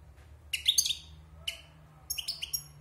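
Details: Caged wild European goldfinch, six months in the cage after moulting, producing short, sharp, tinkling twitters in three quick bursts, high and bright, with a soft low hum behind.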